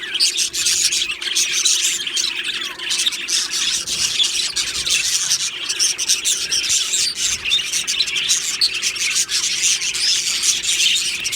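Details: Aviary colony of Australian budgerigars chattering steadily: a thick, scratchy mass of high chirps and buzzy warbles from many birds, constant in loudness throughout.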